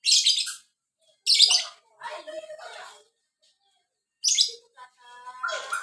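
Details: Violin-type lovebird singing busily: bursts of high, harsh chirping alternate with lower, buzzy warbled phrases and short gaps.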